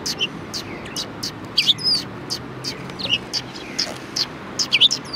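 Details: Several sparrows calling at a Tenmangu shrine in Japan, 4 March 2020: thin, rapid high chirps and a few squeaky notes scattered through five seconds, growing busier toward the end.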